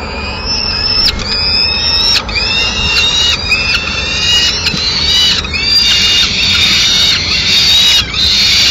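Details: Peregrine falcon at a nest in Madrid at mid-morning, the female arriving with the remains of a pigeon; loud harmonic wailing calls, drawn out and slightly falling, repeated about once a second with short gaps.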